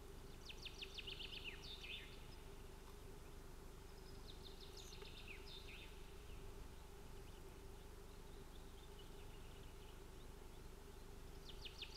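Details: Osprey at a nest during scuffling at the nest, 25 June 2018, from a livestream nest camera in Finland: faint high, rapid chirping series with thin sharp notes in bursts, over a steady low hum.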